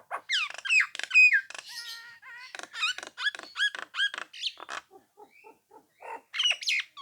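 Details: Song of a Nias hill myna, used to goad rivals into replying: quick runs of sharp rising whistles and squeaky chirps, a short flat tone, then softer low clucks before loud whistles return.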